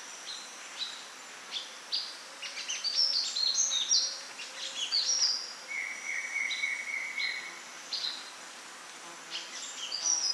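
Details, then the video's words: Sunbird singing in its natural habitat: long run of fast, high, sparkling chirps and twitters, with a steady thin whistle from another bird briefly overlapping midway. "Sunbird Singing Sounds"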